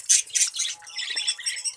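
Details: Budgerigars in a colony: a few loud, harsh high squawks, then a dense overlapping stream of rapid chirps and warbles from many birds.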